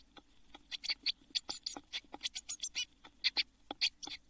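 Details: Blue tit nestlings in a nest box before fledging, June 2022; rapid, uneven series of short, sharp, high squeaks, roughly two per second, over a faint low hum.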